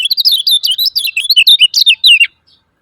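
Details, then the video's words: Rapid 'ciak ciak' call series of a lemon-bellied white-eye, used to provoke quiet birds into song: about twenty sharp, high, slurred chirps in quick succession over two seconds, then silence. "SUARA KECIAL KUNING CIAK CIAK JOS PALING AMPUH UNTUK SEMUA KECIAL KUNING MACET"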